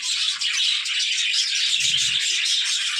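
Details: Playing budgerigars keep up a busy, high chirping chatter, many short notes overlapping continuously, with a faint low thump near the middle.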